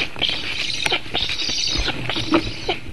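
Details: Nestling black stork begging at a Latvian nest when its father arrives to feed it, 7 August 2018, late morning, recorded by webcam: rasping, arched calls repeated roughly every half second with steady background noise.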